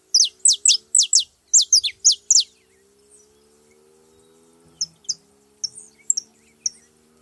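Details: A group of saffron finches visiting a feeding spot: a quick string of about ten loud, high, down-slurred notes in just over two seconds, then a pause broken by sparse thin chirps and a faint low hum.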